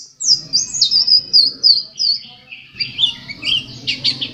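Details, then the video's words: Pleci dakun white-eye, ranked second in competition, giving repeated high, thin downslurred notes about three per second, becoming a busier jumble of twitters, over a low murmuring background. "pleci dakun macok juara 2 gacor dor"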